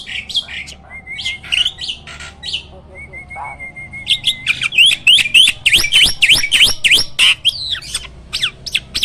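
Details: A hybrid jalak, a type of myna, in a cage and used as a master singer for training other birds. Scattered squawks and a level whistle lead into a dense run of fast, rising, chattering notes in the second half.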